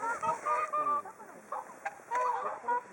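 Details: Whooper swan flock waiting for food at Hakuchodai Sebatto, Onuma and Konuma lakes: loud nasal trumpeting notes, some drawn out and level, others short and clipped, overlapping from several birds with brief gaps.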